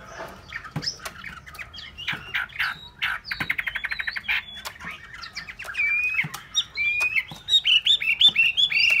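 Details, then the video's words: Song of a caged hwamei: soft chattering and a rapid rattling trill build into louder, clear whistles and wavering high phrases toward the end. "họa mi"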